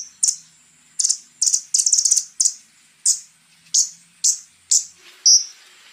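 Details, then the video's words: Konin in a lively, rough 'tembakan' song with borrowed phrases, giving high, sharp chipping notes. A brief stuttering cluster breaks a pattern of single notes repeated roughly every half second to second. "SUARA BURUNG KONIN TEMBAKAN KASAR GACOR FULL ISIAN JEDA MEWAH"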